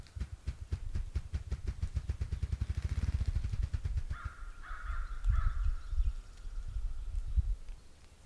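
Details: Ruffed grouse drumming: low, muffled thumps begin slowly and speed up into a rapid whirring roll over about four seconds, then fade. Afterward another bird gives a few steady, mid-pitched notes.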